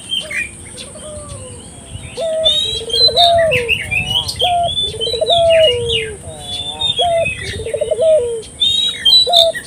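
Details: Puter dove used to get local doves calling: several trilled rolling coo phrases with short rising notes, partly overlaid by dense chirping and twittering of many small birds and a steady high whine.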